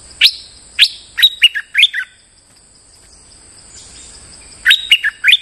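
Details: Streak-eared bulbul in moult, kept as a lure bird, singing loud clear phrases: two upward-sweeping notes, then a quick run of bubbly whistles, a pause, and another burst of whistled notes.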